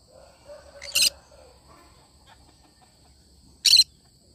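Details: Cinnamon green-cheeked conure giving two short, loud, scratchy screeches nearly three seconds apart, with a faint softer chatter before the first.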